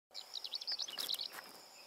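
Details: A greater short-toed lark in farmland gives quick, dry, high chirrups in a short burst, over a faint background hiss with a few soft rustling clicks.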